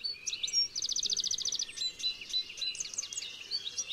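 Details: Wild European goldfinches flying free give a lively high twittering song with a fast buzzy rattle of repeated notes, then tinkling liquid phrases over steady outdoor background noise.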